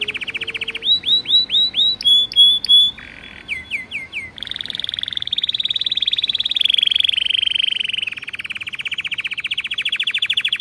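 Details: Breeder's canary singing: a series of clear upward-swept whistles repeated about twice a second, then a few shorter sweeps, followed by a long, fast, buzzy trill held at a steady high pitch for several seconds.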